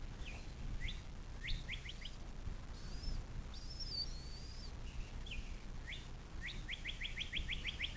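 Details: Nest-camera recording of a bald eagle along the Little Miami River in southwest Ohio, USA, near South Lebanon, 6 April 2024 at 17:23. Scattered sharp notes build into a quick run of repeated chips near the end, amid high songbird whistles and hiss.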